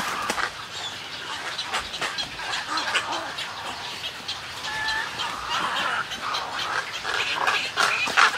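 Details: Snowy egret colony at close range: overlapping hoarse croaks and nasal squawks from multiple birds, with a few louder harsh calls standing out near the end.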